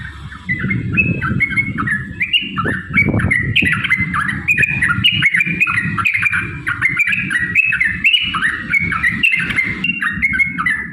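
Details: Yellow-vented bulbul song used to provoke rivals, a long continuous stream of gurgling, warbled phrases stepping up and down over constant low rumbling and handling noise.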